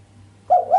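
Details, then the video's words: Female island collared dove cooing sharply without the 'kuk' ending, a call said to stir up the male; a brief, wavering mid-pitched coo in two pulses after a short hum. "Suara derkuku betina mbekur tajam tanpa kuk bikin sang jantan greget"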